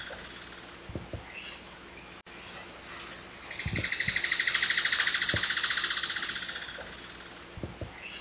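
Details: Alagoas foliage-gleaner singing a long, quick rattle of evenly spaced, slightly buzzy notes. It grows louder, peaks midway, then tapers off over roughly three and a half seconds. Occasional low taps sound in the background.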